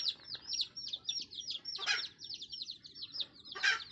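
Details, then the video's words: Red junglefowl brood with its calling mother hen: a dense chain of piercing, falling chick peeps dominates, broken by two short clucking bursts from the hen, over a faint rumbling background. "TIẾNG GÀ MÁI MẸ RỪNG GỌI GÀ RỪNG CON suab poj qhaib qus nriav me nyuam"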